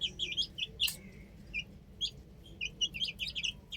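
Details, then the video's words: Chicks on a rooftop give short, high chirps in scattered bursts, with a sharp click-like crack near the start and brief pauses between clusters of peeps. "Adorable Chicks Chirping Sounds | Amazing Baby Hen Playing On Roof"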